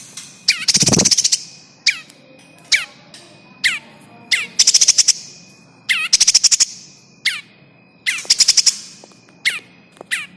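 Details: Bar-winged prinia 'kejepit' (squeezed) distress call used as a lure for trapping birds; harsh descending notes alternate with rapid bursts of sharp ticking clicks, set against a steady thin tone.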